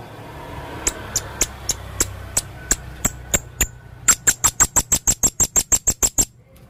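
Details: Male blue-crowned hanging parrot giving dry, sharp clicking notes, at first about one every third of a second, then speeding into a fast even series of about fifteen clicks, full 'isian' song style.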